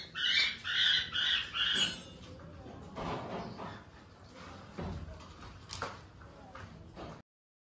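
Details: Hand-tame pineapple conure parrot giving four harsh, raspy squawks in quick succession over about two seconds. Quieter room noise and faint voices follow.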